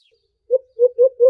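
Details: A white-eared brown dove gives low, mellow hoots, described as an aggressive fighting call: a single note, then three quick repeated hoots about a fifth of a second apart.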